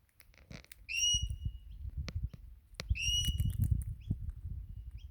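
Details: Wild Crimson Rosella in Australia, visiting almost every morning and calling as if asking for food before taking sunflower seeds from a hand: two clear whistled notes, each rising and then held level with rich overtones, over low rumbling and tapping noise.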